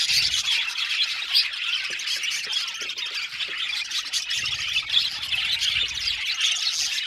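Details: Budgerigar colony kept in an aviary, many birds squawking and chirping together in a fast, irregular, overlapping stream of high scratchy calls, occasionally louder bursts.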